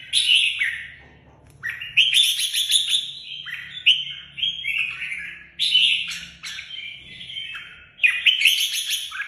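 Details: Red-whiskered bulbul, a kept songbird, delivers a long run of varied whistled and warbled phrases in loud bursts separated by short pauses, notes sliding up and down with crisp clicking accents.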